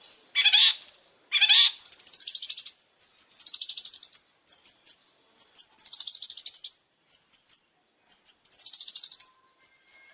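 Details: Long-tailed shrike, described as very vocal, singing two loud harsh rasping bursts, then a run of high buzzy trills alternating with short thin whistled notes, phrases separated by brief gaps.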